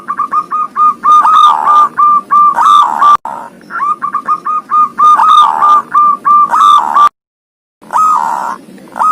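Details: Zebra dove singing in the ngoar style, a bird with thirteen tail feathers: quick runs of short, even cooing notes at one mid pitch, broken by a few longer held notes, with a brief silent gap near the end.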